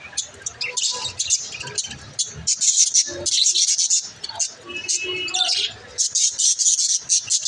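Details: Pet budgerigars chirping, played to encourage lonely budgies to chirp: dense, high chattering chirps and warbles in quick bursts, with short pauses and a few lower, softer notes underneath.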